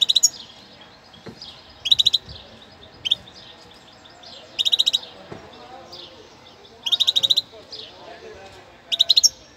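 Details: A novice goldfinch from Cádiz, a new bird used to motivate other birds. Short, bright, buzzy twittering bursts repeat about every one to two seconds, with softer notes between them over a steady low background hum.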